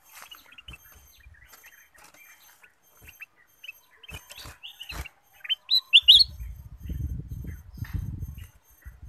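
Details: Bulbul recording played as a lure to make other birds sing: scattered soft chirps and clicks, then a burst of loud sharp whistled notes, over a low rumbling background.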